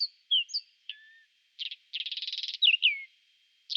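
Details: Whinchat singing in spring, April 2020: short scratchy phrases with descending whistled notes, a buzzy rapid trill around two seconds, then more sliding whistles; a steady faint high tone runs underneath.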